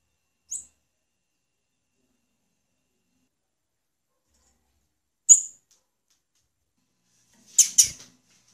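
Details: High, thin single chips from a female blue-black grassquit, spaced about five seconds apart, ending in a quick double note. Otherwise quiet.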